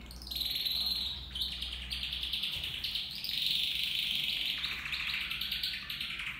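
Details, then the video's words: Caged copper mosaic canary, one of four birds (two males, two females) in a flight cage, pouring out a long continuous high trill that shifts pitch gradually and drops lower toward the end. "Kanarya Ötüşü (Bakır Mozaik Kanarya)"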